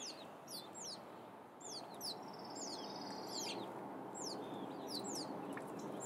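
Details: Wild turkey chicks in the Sierra foothills of California, USA, giving high, thin, downward-slurred peeps in quick irregular series, about three per second, with a steady rushing background.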